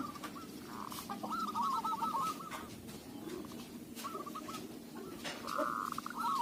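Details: Local zebra dove singing, its voice suited for luring. Fast stuttering trills of cooing notes come in several bursts over heavy background hiss and rumble, with one long steady coo near the end.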